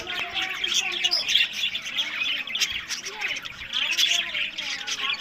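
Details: Budgerigars in a breeding aviary in Larkana, Sindh, twitter and chirp continuously, many birds overlapping, with quick squeaky notes and short wavering whistles, louder near the start and end.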